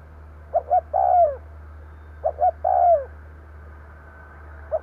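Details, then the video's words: Spotted dove decoy call meant to stir up wild doves: two clear phrases of short double notes leading into a long falling coo, then the start of a third, over a low electrical hum. "Tiếng cu gáy mồi gù gáy kích bổi nhanh nổi"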